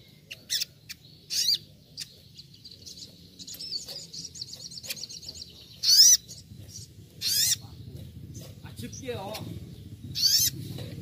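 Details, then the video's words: Little Spiderhunter giving sharp, loud, high bursts every second or two, like a wild bird, with a thin twittering run between them; a low murmur sits underneath. "masteran sogon nembak nembak seperti di alam liar"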